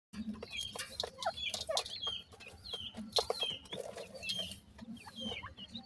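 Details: Baby francolin chicks in summer, described as happy, giving many short, high, downslurred peeping chirps that overlap from several birds, with clicks and a low steady hum behind them.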